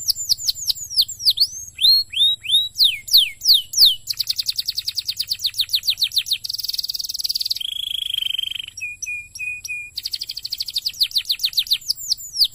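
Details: Canary song played to prompt other canaries to sing: a fast varied run of high downslurred whistles, then rapid buzzy trills, a steady rattling phrase, a few short level whistles, and more quick trilled phrases, with a faint low hum throughout.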